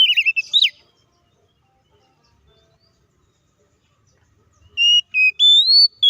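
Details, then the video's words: Oriental magpie-robin (kacer) fighting song meant to agitate rival kacer: a short burst of bending whistles, a long silence, then clear sustained whistled notes rising in pitch. "SUARA BURUNG KACER GACOR NGEPLONG TARUNG KONSLET❗PALING AMPUH BUAT PANCINGAN KACER AGAR CEPAT EMOSI!"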